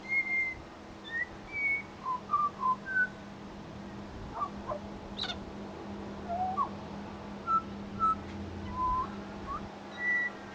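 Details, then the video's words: At a bird sanctuary, a pied butcherbird gives clear, fluting whistled phrases, some rising or falling, between one and two kilohertz, mimicking other birds, over a low hum. "Amazing mimicry by Pied Butcherbird"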